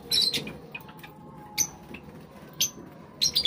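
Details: Java sparrows eating, with a few sharp, high chirps spaced about a second apart between quieter pauses and a faint steady background hum.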